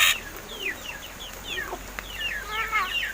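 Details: Young captive crested mynas, roughly seven months old, learning speech; a series of thin falling whistles and chirps, ending in a layered, buzzy tonal phrase.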